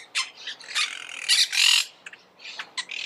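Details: Monk parakeets calling with a few abrupt screeches followed by a longer, drawn-out grating squawk near the middle, then softer scattered chatter.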